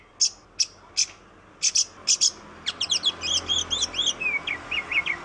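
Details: Melodious song of an oriental magpie-robin, known in Indonesia as kacer: a few sharp high chips, then a rapid run of looping whistled phrases ending in a series of short descending notes.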